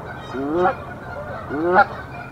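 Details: Canada geese defending their nest in a tree against an intruding goose, early April: two loud rising honks about a second apart, each sweeping upward with rich harmonics, over steady background hiss.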